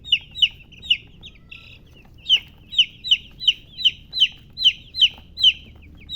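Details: Baby chicks chirping loudly, sharp high descending peeps coming about twice a second in a steady run, with a brief quieter gap near the start and a faint low hum beneath.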